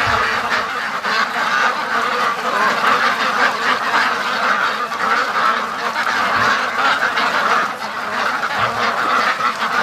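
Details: During the daily return from the lake, a free-range duck flock of more than 650 birds crowds toward the pen; ten seconds of thick, relentless quacking, rough and overlapping, with slight swells in loudness.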